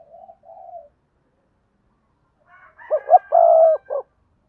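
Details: Spotted dove decoy from Đồng Nai calling to lure wild doves. Soft, low murmured cooing is followed after a pause by a louder phrase of arched coos with a long held note, over faint higher calls.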